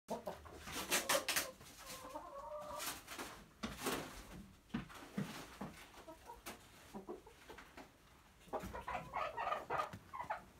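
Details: Domestic chickens, a rooster with curious hens, in their coop on a typical day: scattered short clucks and a few tonal, drawn-out calls among loud knocks and rustling bursts.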